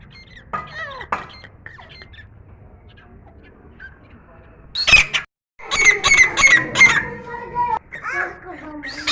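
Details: A newly acquired grey francolin singing indoors in a room, perched on a bed, gives loud, harsh, ringing notes in a rapid repeated series after a quieter start; squawky and high-pitched.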